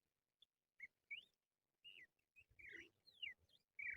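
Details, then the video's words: Crested lark, locally called jal, calling in a recording used to lure birds for trapping: short whistled notes, some rising and some falling, given in scattered bursts with brief silences and faint low rumble underneath. "Crested lark Bird | Jal bird sound"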